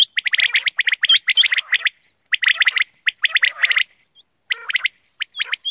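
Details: Rapid, overlapping chirps and clicks from quail come in bunched rows, broken by brief silences, plus a few higher squeaky whistles near the end.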